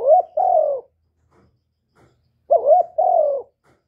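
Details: Loud young male spotted dove calling in a clean recording: two matching phrases about two and a half seconds apart, each a short bent coo followed by a longer, gently falling hoot.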